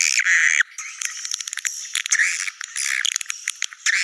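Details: Swiftlet lure sound in the "Naga Merah" style, meant to bring swiftlets to nests: continuous high buzzy chattering with rattling clicks and fast stuttering notes, scarcely pausing.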